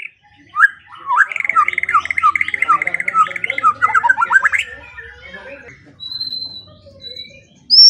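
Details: White-rumped shama training song for morning and evening: a fast stuttering chatter of repeated mid-pitched notes that builds into a rapid rolling trill, followed by thin high whistles.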